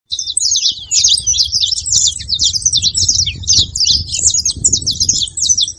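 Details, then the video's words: Saffron finches singing together, played to fire up and warm a quiet canary: a dense, unbroken stream of sharp, high chirped notes and quick slurred twitters running the whole time over a low rumbling background. "canto de canário da terra junto pra foguea e esquentar seu canário frio"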